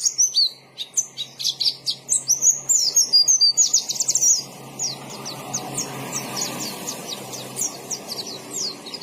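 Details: High twittering song of a white-eye (pleci) in gacor style: quick jumbled chirps at first, then a series of separate thin, upslurred notes repeated about twice a second over a soft background hiss.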